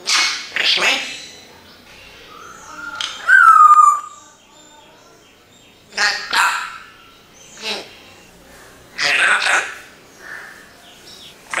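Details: A parrot mimicking human speech: scattered harsh, breathy syllable bursts with a short whistled note that slides downward near the middle, then several more rasping voiced bursts after pauses.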